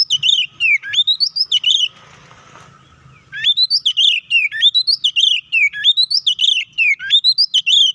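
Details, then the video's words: White-rumped shama (kacer) in full fighting song, used to provoke and anger other shamas: loud rapid whistled phrases sweeping between about two and six thousand, repeated quickly, with a short pause of faint background noise. "KACER GACOR NGEPLONG TARUNG KONSLET❗PALING AMPUH BUAT PANCINGAN KACER AGAR EMOSI!"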